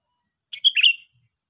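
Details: Single bright chirped call of a Sooty-headed bulbul, a half-second burst of quick slurred notes rising to a strong centre before fading, with no other sounds around it.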